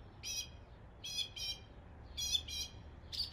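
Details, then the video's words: Northern mockingbird copying local birds in East Tennessee: harsh, raspy paired bursts, loud and noisy, spaced by short gaps, about five in three seconds, over a quiet low hum. "A mockingbird imitating the sounds of local birds in East Tennessee."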